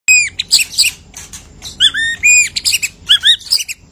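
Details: White-rumped shama singing after its moult, a caged songbird bursting into its full repertoire: loud, bright whistled notes with sharp upsweeps and chattering phrases, repeated in quick succession.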